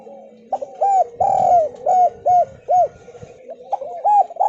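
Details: Lure recording of a Javanese spotted dove in the Kuk 2 style, meant to make lazy doves call: a bright run of rounded coos with one extended note, then a pause and two more coos.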